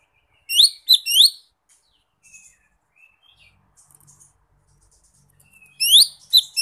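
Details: A wild Lesser green leafbird calling to rivals: a quick burst of three bright, sweeping chirps, then a long quiet gap with faint notes before another sharp cluster.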